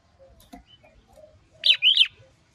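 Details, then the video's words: Red-whiskered bulbul, female calling to excite a male into full song, styles known as sổ bọng and ché; after soft faint notes, two loud slurred whistled notes ring out in quick succession near the end. "Chào Mào Mái Kích Trống Căng Lửa - Bí Quyết Kích Lửa Hiệu Quả | Hót Sổ Bọng Hót Ché"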